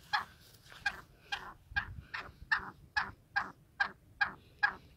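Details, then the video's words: Black francolin at liberty calling in a run of about eleven harsh, clucking notes, spaced under half a second apart, against a low rumbling background. "Black Francolin Voice Kaly Teetar Ki Awaz Kala Teetar Azad Ghomty Hoay"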